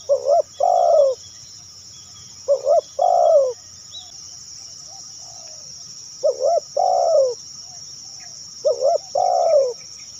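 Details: Luring call of a spotted dove: four deep coo phrases, each a quick upslurred note then a longer downslurred one, spaced irregularly, with a continuous shrill insect drone in the background.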